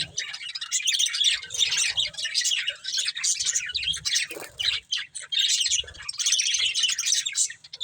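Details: Breeding budgerigar pair warbling steadily, scratchy high chirps and rough squawks in rolling bursts, with faint low knocks in the background.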